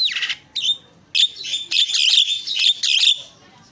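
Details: Black-winged myna singing loud harsh buzzy bursts with bright whistled overtones, in short phrases about every half second.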